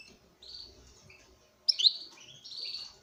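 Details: Caged male European goldfinch courting a female, singing soft nasal buzzy notes, then a sudden louder bright twitter followed by a drawn-out wheezy phrase; faint low background rumble.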